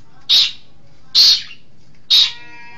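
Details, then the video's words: Long-tailed shrike lure recording for bird training: three loud, harsh, scratchy squawks evenly spaced roughly once a second, with quiet thin whistled tones after the last. "Masteran Suara Pentet Cendet"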